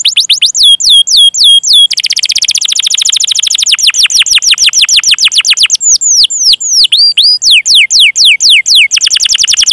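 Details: Long canary song played as a lure for young, untrained or silent canaries, chirping and rolling: sharp swooping whistles, a very fast even roll, long tours of falling notes, and a few slower swoops.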